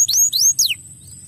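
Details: Crested canary singing to prompt young canaries to sing: three quick, bright whistled notes, each sliding steeply downward, over a faint low background hum.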